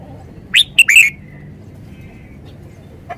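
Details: Red-whiskered bulbul kept as a caged decoy bird in Thailand, giving one quick phrase of three bright, slurred whistled notes lasting about half a second, then quiet with faint background hiss.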